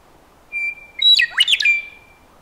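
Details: Western meadowlark song: a clear, sustained whistled note, a short pause, then a tumbling, gurgling flutey phrase with quick rising and falling notes, ending on a held whistle, all against a quiet background.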